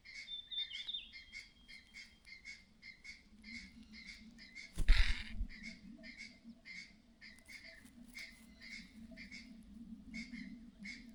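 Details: Clattering alarm of a mother myna warning that danger may be near: harsh scratchy notes repeated roughly twice a second over a steady low hum, with a sudden loud knock midway and a brief high whistle early on.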